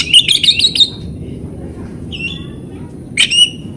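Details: Lure song of an oriental magpie-robin meant to trigger silent birds. A quick chattering series of four or five notes is followed by a soft whistled slur, then a harsh note with a short whistle.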